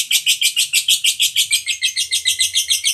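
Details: Lovebird giving a long trilling song meant to stimulate other lovebirds to sing: fast, harsh, chattering notes pulsing about six times per second, high and buzzy, continuous throughout with faint low hum beneath.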